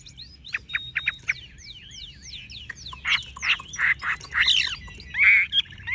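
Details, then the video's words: Chinese hwamei, a tame caged bird with golden-yellow plumage, giving scattered sharp whistled slurs at first, then a run of loud, rich, burry phrases repeated roughly every half second. "Họa mi thuần đét chân mỏ lông lá vàng ươm - Hót như máy"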